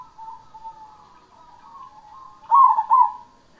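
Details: Cemani zebra dove singing actively: a soft, wavering low coo drawn out for over two seconds, then a loud rolling double-beat coo near the end, with no other sounds.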